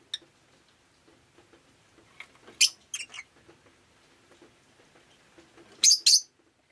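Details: Pet rosy-faced lovebird on a rainy day giving two pairs of shrill, harsh, high chirps in quick succession, separated by about three seconds of quiet with faint soft clicks and patter.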